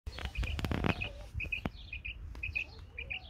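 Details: Female Isabelle-coloured quail singing in a garden: paired short chirped notes around a steady pitch, repeated in quick succession, mixed with rustling and handling noises early on.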